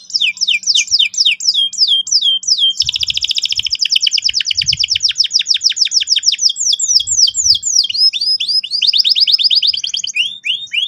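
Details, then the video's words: Canary roll used to stimulate young birds: varied chirps give way to a long, rapid, pulsing trill of repeated notes lasting several seconds, ending in looping sweeps, with faint low bumps. "PANCINGAN BURUNG KENARI GACOR EFISIEN AGAR PAUD CEPAT NGEROL TAJAM & PECAH SUARA"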